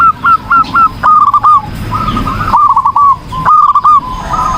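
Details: Vigorously singing zebra dove, meant for training other birds: several short phrases, each a sharp note followed by a quick trill of curled coos, about one phrase per second, with faint softer cooing behind.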